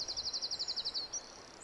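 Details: In the Cairngorms, Scotland, in spring, as rain eases over hills and fields, a Willow Warbler starts singing: a quick run of about a dozen high, sweet notes sliding gently downward, then a brief higher note, over faint hiss.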